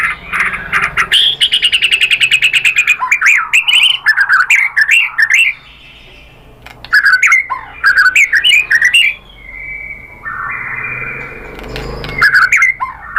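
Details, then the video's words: White-rumped shama lure song for stimulating a bird to answer and sing: bursts of rapid, buzzy trills and tumbling varied whistles, split by short silent gaps, with a level drawn-out tone near the end. "KICAUAN MURAI BATU merangsang BUNYI jadi NYAUT GACOR BONGKAR MATERI ¦ PANCINGAN MURAI"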